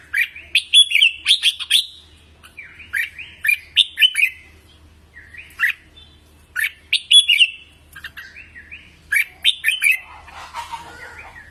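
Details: Red-whiskered bulbul singing, a recording used to train cage birds: short, bright warbled phrases of rising and falling whistles with sharp clicks, repeated about every one to two seconds, ending in a brief burst of rustling noise; faint low hum throughout.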